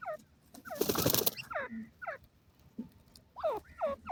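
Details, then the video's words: Grey francolin calls, falling hooked notes in pairs, interrupted early by a loud noisy rustling burst, then resuming clearly. "desi teetar awaz"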